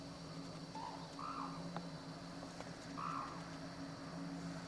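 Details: Captive black-necked crane, Akan International Crane Center, Japan, on January 8, 2006. Two fairly faint, nasal honks, the first with a softer lead-in note, stand out over a persistent low hum and a few clicks.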